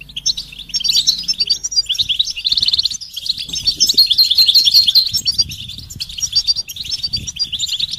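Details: Goldfinch song of the betbeta and setseta type, mating and readiness calls played to get silent males singing: a continuous high, liquid twitter of quick chirps and tinkling trills, rising in intensity mid-phrase.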